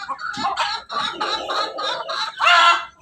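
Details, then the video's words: Crossbred rooster of pelung, Bangkok and ketawa stock, red comb, farm in Banguntapan, Jogja; a rapid series of stuttering, laughing-like crow syllables about six in three seconds, ending in a louder drawn note. "ayam Persilangan ayam pelung Bangkok ketawa berkokok"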